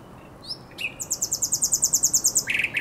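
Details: Common nightingale, night of 23/24 April 2022 on the Żerań Canal: a rising whistle, a long fast series of very high pulsed notes, and then lower, buzzy repeated notes.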